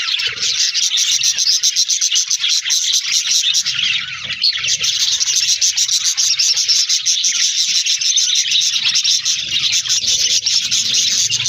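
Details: Flock of budgerigars in an aviary keeping up a long, unbroken stream of high, buzzy chirping and warbling, briefly softer midway before swelling again.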